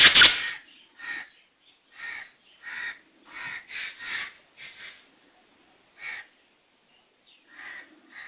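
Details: Black francolin calling with a loud harsh opening note, then a steady series of rough, buzzy notes about every half second, with brief pauses between groups.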